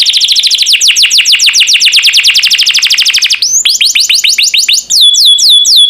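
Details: Champion canary master song: a rapid, even roll of descending high notes for over three seconds, then a slower phrase of wider slurred sweeps ending in fast looping whistled notes.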